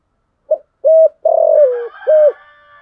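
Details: Spotted dove lure bird, used to provoke cooing: one low, hollow phrase of a brief lead note, a steady coo, a longer throaty coo that slides downward, and a final rounded coo, with faint higher chatter behind.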